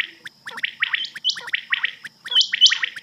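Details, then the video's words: Rain quail call on a night hunting cassette: rapid, raspy, chattering notes in dense runs, each burst rising to a brief high clipped tone, with almost no pauses. "rain quail sound"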